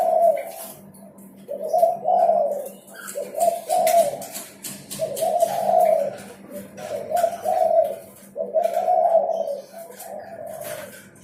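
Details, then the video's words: A spotted dove sings persistently, its recording meant to prompt silent birds to sing: deep, rounded cooing bursts in separate phrases, with short pauses between, plus scattered clicking noises and a background hum. "SUARA DERKUKU GACOR"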